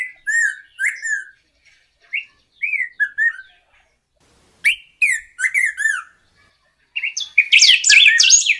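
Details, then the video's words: Golden-billed saltator: scattered short whistled notes and slurred phrases with pauses between them, building to a busier burst of overlapping high twittering at the end. "Pepitero/Picahueso Canto - Golden-billed Saltator - Saltator Aurantiirostris"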